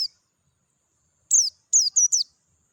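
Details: Dakun Oriental white-eye singing wild in natural surroundings, voice clear: a brief note, silence, then a tumbling series of four high, sliding chirps close together.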